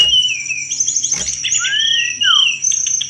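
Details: Short burst of Sunda robin song used to draw in thrushes: clear descending and rising whistles with a quick chattering rattle, set against a persistent thin drone.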